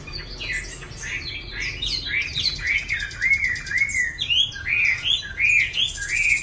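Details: A caged Chinese hwamei (Garrulax canorus), kept in a small cage that has blunted its tail tip, sings rapidly and well: a rich, varied run of loud whistled phrases with slurred rising and falling notes and little pause.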